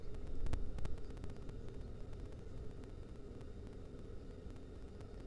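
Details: Low, steady rumbling noise with a few sharp clicks early on and no animal voice.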